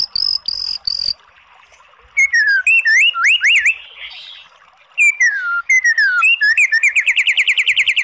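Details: White-rumped shama song to stir a lazy bird into singing: high ringing notes, then looping whistled phrases, and finally a fast, evenly repeated trill of rising notes.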